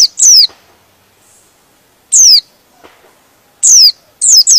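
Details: White-eye (pleci) song meant to provoke other white-eyes into agitated, vigorous singing: a few sharp, high descending chirps in short bursts, separated by silent gaps of over a second.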